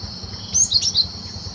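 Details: Cinereous tit singing in the wild, recorded for use as a trapping lure: a brief burst of three to four thin, high chirping notes, set against a constant shrill insect hum.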